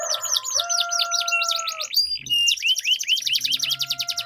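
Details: Duelling canaries deliver a long rolled song used as a lure for canaries that have stopped singing: quick looping high notes over low sustained whistles, a brief break, then fast repeated sweeping trills.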